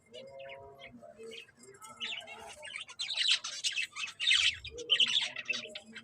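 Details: A caged pet Fischer's lovebird (Agapornis fischeri), a male that chatters alone but not to its owner, gives harsh, high, scratchy squawks and chirps, loudest in the second half, after a man speaks briefly.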